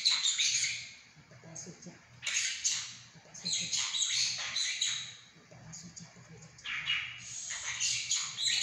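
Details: Talking pet monk parakeet indoors gives scratchy, high chattering phrases imitating Mandarin speech, in three or four loud bursts with quieter gaps, over a faint low hum.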